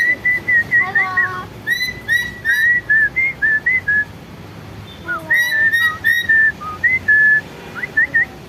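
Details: Lory calling to encourage other birds to sing: two runs of short, level whistled notes with a few lower down-slurred whistles mixed in, separated by a brief pause.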